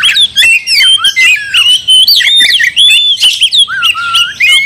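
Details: Oriental magpie-robin song used to goad another bird into fighting: loud, varied whistles and rasping chatter in short bursts, roughly three phrases a second, mixing rising and falling slurred notes.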